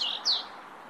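European robin giving a thin, high note, then a quick downward-sliding whistle, all within a second. Faint background hiss underneath.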